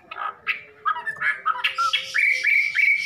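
Red-billed blue magpie giving a quick run of varied notes, about three per second: harsh squawks, then clear, rising whistled notes.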